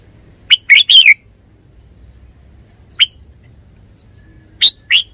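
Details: Red-whiskered bulbul giving a short burst of bright, warbled notes, then single sharp chirps after a pause and a final pair of loud notes, against quiet background hum.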